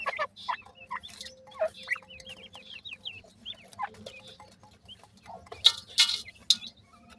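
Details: Baby francolins in summer: a run of quick upward-sweeping peeps, several per second, then a pause and a few loud sharp clicks, over a faint low hum.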